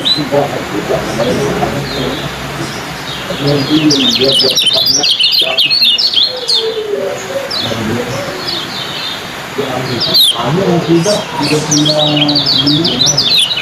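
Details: Lemon-bellied white-eye in a songbird contest, singing its fast ciak style of chirping: rapid high sweeping notes, bursts at around three a second, heard over loud crowd chatter and voices.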